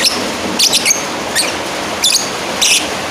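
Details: Lovebird calling out to a rival, giving harsh, high, buzzy chirps in short bursts, some doubled, about five bursts in three seconds, with constant hiss behind.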